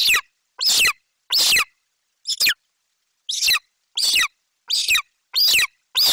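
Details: Golden eagle chick in Bucovina, July 2021, calling for minutes as its mother arrives with a Eurasian magpie; a series of nine loud, raspy, high screams, each dropping in pitch, at slightly irregular intervals.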